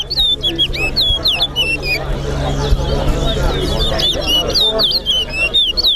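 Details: Chestnut-bellied seed finch (towa towa) in competition at Lusignan, Guyana: clusters of sharp, hooked whistles and slurred phrases in rapid series, with a murmuring crowd and a low hum.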